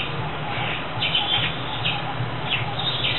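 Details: Senegal coucal chicks, rescued at about three days old after their nest was destroyed, give short, raspy, hissing bursts about every half second to second, over a steady low hum.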